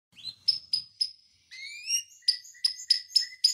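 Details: Canary tutor recording, long rolling 'ngeroll' song meant to prompt and teach other canaries: short bright chirps spaced about a quarter second apart, then rising whistled slurs and a run of sharp repeated high notes.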